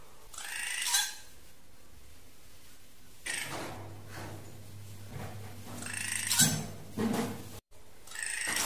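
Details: A drongo gives harsh, ringing calls in a few separate bursts, used as a lure call, with a steady low hum beneath the middle of the recording.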